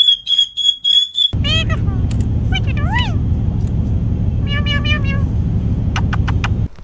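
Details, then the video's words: Pet parrot gives a steady electronic beeping like an alarm, then arched whistles, harsh voice-like calls and sharp clicks over a loud low rumble. "The strange sounds made by parrots"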